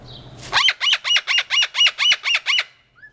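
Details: A Moluccan cockatoo gives its flock call, described as near deafening: a rapid series of about nine harsh, grating screeches, four or five per second, very loud and even, then falls silent.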